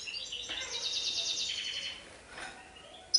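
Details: European goldfinch singing in the Serfati Tiwawati style: high, fast twittering with a buzzy rapid trill in the middle, ending abruptly, followed by a faint brief note and a click.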